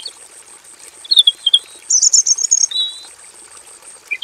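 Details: Caged robin in a simple aviary delivering a varied master song: a few soft whistled notes, then a bright rapid high trill and a drawn-out whistle, ending in a sharp chirp, against a constant faint high-pitched drone.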